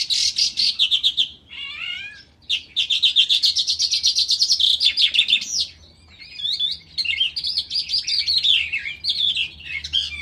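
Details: Calandra lark (Melanocorypha calandra) singing in a ravine: a fast, jangling song of rapid chirps, trills and scratchy notes, with brief pauses between long rambling phrases.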